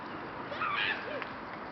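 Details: Rooks calling in a flock at Boscawen Park, Truro, 08/01/2021. One hoarse, rising-then-falling caw stands out briefly, and a shorter call follows, over the continuous murmur of the flock.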